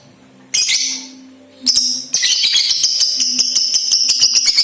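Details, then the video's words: Young lovebird (balibu), a lure recording to make other lovebirds sing actively and give ngekek trills: two sharp, hissy high bursts, then a steady buzzy rattling chatter of rapid pulses running to the end. "LOVE BIRD BALIBU , PANCINGAN LABET BALIBU AGAR CEPAT GACOR DAN NGEKEK RAJIN BUNYI"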